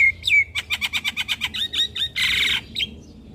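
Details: Javan myna master song for young birds: an opening whistled swoop, then a quick even series of about a dozen clipped chirps, followed by a harsh buzzy burst and a final short note.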